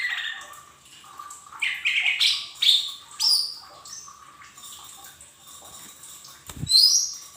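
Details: Cage-bird training song of a lesser green leafbird: a varied chattering phrase of buzzy and whistled notes dropping then rising, followed by a sharp high chirp, with a low hum throughout.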